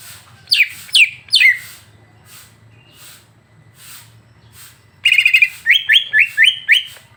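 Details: Greater green leafbird song played to stir a caged bird into singing: three descending whistled sweeps, a pause, then a buzzy trill followed by a rapid run of rising-and-falling whistled phrases, with a faint low hum.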